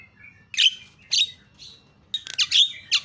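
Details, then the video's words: Javan myna used to provoke calling from other mynas: a few separated harsh chirps, then a quick cluster of squawky, buzzy notes. "BIKIN JALAK KEBO JADI TERIAK"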